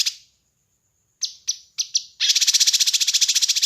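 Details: Kinoi bird song from a master recording used to train and lure birds: a thin high whistle, three sharp buzzy notes, then a fast rattling trill of rapid repeated high chips.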